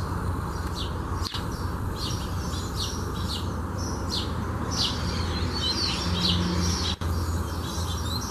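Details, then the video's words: Coleiro (double-collared seedeater) singing: bursts of short, high chirped and whistled notes, irregular and fairly quick, over a steady low hum. "Coleiro Cantando"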